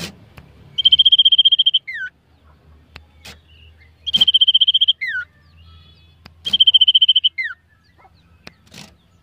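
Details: Common iora warming up before a contest, being provoked to sing aggressively: three phrases, each a rapid high trill of about a second ending in a sharply falling whistled note, repeated every few seconds against quiet background.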